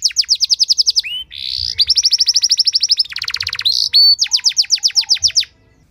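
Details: Canary singing ornamented training phrases to draw other canaries into song: fast trills of falling notes, a buzzy section, a dense rapid rattle, then another run of evenly repeated downslurred whistles.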